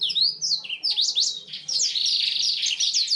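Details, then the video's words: A black-throated canary sings a fast, continuous run of high, sweet trills and twittering phrases, rapid slurred notes tumbling over one another; a clear-voiced, energetic song used as a tutor recording for canaries. "BLACKTHROAT GACOR SUARA JERNIH UNTUK MASTERAN KENARI"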